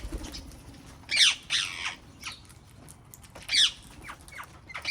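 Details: Wild parrots in a garden giving harsh, raspy squawks, two loud bursts near the start and another about two seconds later, with softer scratchy calls between and a quiet outdoor background.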